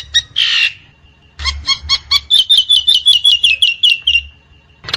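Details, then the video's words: Nias hill myna singing in the wild: a harsh rasping squawk, then a fast run of loud, ringing metallic notes repeated about three per second, ending in another rough burst. "JALAK NIAS di Alam Bebas || Suara Jalak Nias"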